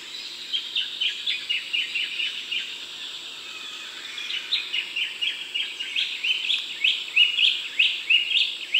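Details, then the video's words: Eastern rosella in the Darling Downs, Queensland, above 500 m, giving quick, high, sharp chattering notes, several per second, in two bursts with a brief lull between; faint background hiss. "Eastern Rosella"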